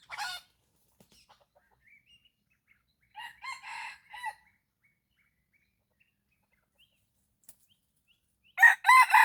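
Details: Junglefowl crowing in the morning during decoy luring of wild birds: a short clipped call at the start, then a full segmented crow of four harsh bursts, the last one trailing off, and another loud crow beginning at the end.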